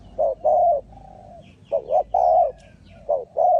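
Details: Spotted dove calling to attract wild doves toward a trap, giving bubbling, throaty coos with short rising notes between longer drawn ones.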